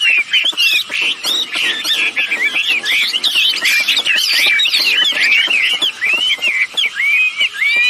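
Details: Female and male red-billed blue magpies in a lure recording meant to set other birds calling: a busy, nonstop chatter of twisting whistled notes over repeated dry clicks.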